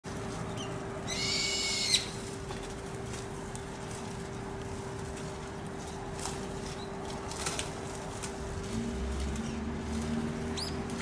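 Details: Brown-eared bulbul in a group eating berries, Aichi, Japan, March 2023, gives one loud, harsh, shrill call lasting about a second, then a few faint high notes, over a steady low hum and rumbling background noise.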